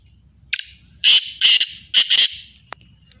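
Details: Black francolin calling in Sindh, Pakistan; a loud harsh grating call in several bursts, a long first note then clustered raspy notes, ending with a sharp click.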